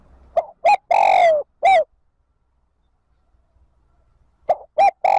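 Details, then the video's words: Spotted dove lure call for wild birds to rejoin the flock: short coos, a long drawn coo and a clipped final note, then a long silence before the next phrase begins. "Tiếng chim cu gáy gọi bổi về cội nhập bầy. Chim cu gáy kích bổi nhanh nổi"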